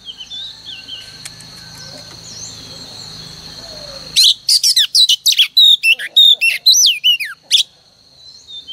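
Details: Female oriental magpie-robin singing as a morning lure for males: faint background hum and low rumble, then a loud run of clear rising and falling whistles mixed with rasping chirps.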